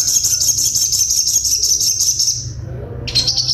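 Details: A sunbird gives a sharp 'tembakan' song: a continuous, very rapid, high trill lasting over two seconds, a brief pause, then the trill resumes, above a constant low hum.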